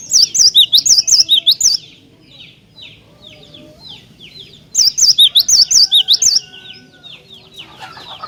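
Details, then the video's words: Cinereous tit singing hard to provoke rival tits into song: two loud bursts, each of about eight quick see-sawing whistled notes, separated by three seconds of soft twittering from other birds. "Jika Glatik Batu Anda Di Pancing Dengan Kicauan Glatik Batu Gacor Ini"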